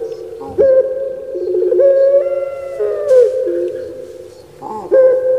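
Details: Puter pelung turtle dove, a kept Javanese bird, gives resonant drawn-out cooing with abrupt upward steps and a falling glide, the echoing phrase breaking and restarting near the end.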